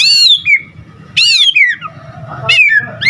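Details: White-rumped shama delivering loud, sweeping whistled phrases that drop steeply in pitch, roughly one per second, as part of a varied song meant to lure other shamas, with low hum underneath.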